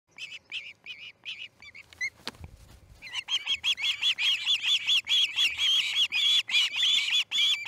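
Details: Osprey at the Charlo nest as a chick fledges, early morning of August 10, 2018 at 6:03am MDT; sparse high whistled chirps, then a brief rustle, followed by dense, rapidly repeated shrill piping calls with slightly rising notes.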